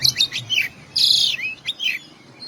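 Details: Oriental magpie-robin singing its 'isian' song of learned fill-in phrases: short high whistled notes, a harsh buzzy burst near the middle, then slurred whistles sweeping down and up, with rising and falling phrases in quick succession.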